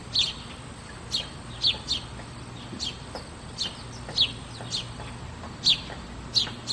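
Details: Sparrows give short, high chirps, singly and in pairs at irregular intervals, over a continuous low hum and background hiss.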